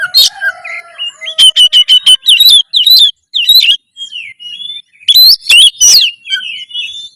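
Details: Oriental magpie-robin (kacer) in loud, energetic song meant to raise breeding drive and fighting mood; a burst of sharp repeated whistled notes, then twisting slurred phrases, a pause, and another rapid run of rising and falling whistles.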